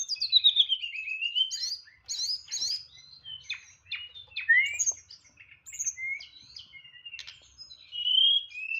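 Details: Tledekan songbird in 'nyeklek' style with complete 'isian': a falling slurred whistle, then rapid varied chips, upslurs and whistled notes in quick succession.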